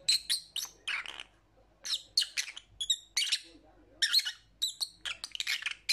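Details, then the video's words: Sharp, scratchy lovebird chirps come in rapid clusters separated by brief gaps, some notes rising and others buzzy, continuing throughout without other noticeable sounds. "Lovebird Sounds"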